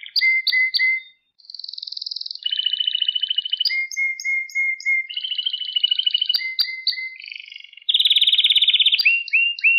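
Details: Canary song used to train young canaries: varied tours of whistled notes, buzzy trills and quick pulsed phrases, alternating between high and lower pitches.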